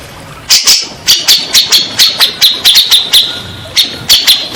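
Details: Grey-cheeked bulbul voice used as a lure for birds that have gone silent or stressed. Sharp, high, irregularly spaced chips with some doubled notes run through the recording.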